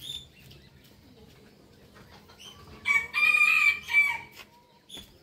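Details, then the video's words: Rooster crowing in the morning: after quiet background chirps, a single hoarse, drawn-out crow of a little over a second, rising then holding steady before cutting off, with faint bird calls around it. "rooster crowing sound effect"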